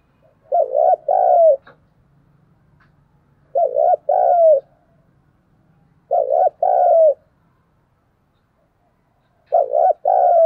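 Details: Spotted dove kept as a lure bird, cooing to provoke wild doves: low, mellow two-part coo phrases repeated roughly every two and a half to three seconds, each ending in a drawn-out falling note, over a quiet background.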